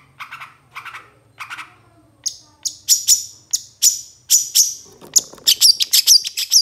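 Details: Long-tailed shrike master recording for training songbirds: three soft paired notes, then loud piercing whistled notes that come ever faster and end in a quick run of sharp chips.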